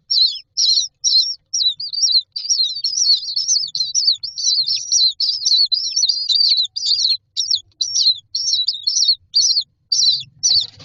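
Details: Nestling mynas lined up in a nest box give an insistent chorus of high, warbling squeaks that run together in the middle and break into separate calls near the end, where a soft bump is heard.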